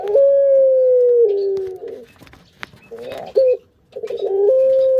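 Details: Breeding Barbary dove giving loud, sustained coos: a long, smooth, level note that drops slightly at its end, a quiet gap with soft clicks, then another short coo and a rising, held coo.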